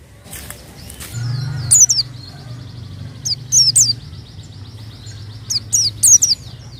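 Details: White-eye song used as a lure: short clusters of two or three piercing, high, down-curving chirps spaced a second or more apart, over a faint low hum.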